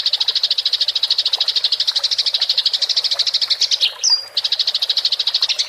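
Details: House sparrow in fighting mode, rolling chatter recorded clearly as training material for songbirds: a fast, steady stream of sharp high chirps running without a break, with one brief higher whistled note near the end.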